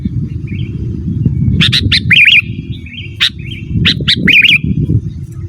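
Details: Sooty-headed bulbul, used as a lure and for tutoring caged birds, mixes bubbly whistled warbles with sharp chips in two bursts, over constant low rumbling noise.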